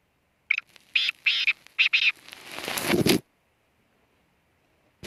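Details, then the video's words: Black francolin (kala teetar) calling: a run of short harsh bursts around the middle of the range, spaced irregularly over about two seconds, then a louder rasping sweep before silence. "kala teetar ki awaz"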